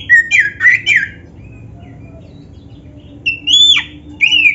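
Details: Black-breasted oriental magpie-robin giving varied song phrases, played as training for captive birds. Three quick whistled slurs, a long pause, then a sharply falling whistle and a final warbled note.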